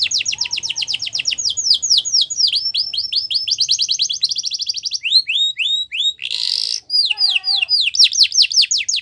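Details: Extended Yorkshire canary training song for young canaries, long rapid trills of sweeping notes shifting in speed, with a brief harsh buzz and a warbled phrase near the end.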